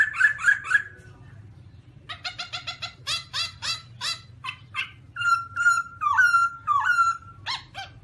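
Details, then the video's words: A Black-throated laughingthrush (Garrulax chinensis) sings a few bright whistles, then a quick stuttering run of harsh notes, then loud slurred whistled phrases about twice a second. "Black-throated laughingthrush (Garrulax chinensis): Funny Sounds"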